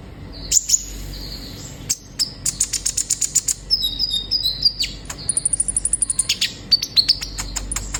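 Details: Vigorous song of an olive-backed sunbird, used to make young caged birds sing sooner: high thin whistles, rapid trains of dry ticking clicks, a wavering whistled phrase, and a very fast high clicking trill near the end.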